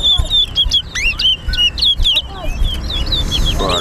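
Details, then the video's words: Singing race at Harbour Bridge between towa towa birds, the chestnut-bellied seed finch: a fast run of bright whistled notes and downward slurs, then a rising buzzy series near the end, with faint background rumble. "TOWA TOWA BIRD RACE"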